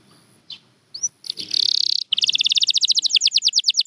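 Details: Champion canary song opening with a few scattered chirps and a short buzzy burst, then breaking into a rapid, steady rattling trill of repeated high notes that continues to the end.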